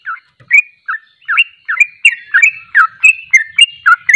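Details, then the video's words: Sooty-headed bulbul singing a long continuous run of short bubbly chirps, dipping and rising notes delivered roughly four per second, clear and dominant over a quiet background. "Ropelan burung trucuk"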